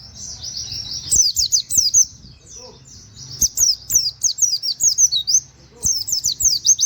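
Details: Plain flowerpecker (pleci), tutor recording for songbirds, its sound likened to canary. A high thin trill leads into three bursts of quick, sharp downslurred chirps, with steady low hum beneath.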